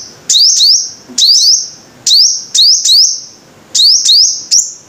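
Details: Five-coloured sunbird: piercing high notes rising steeply then sustained, mostly paired, about eight notes in five seconds with short silent gaps, the background otherwise still.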